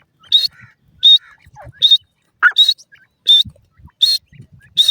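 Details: Sharp, high, evenly repeated piping notes from a female Iranian partridge accompanied by her chicks, roughly one every 0.7 seconds, with faint lower chirps and small knocks between.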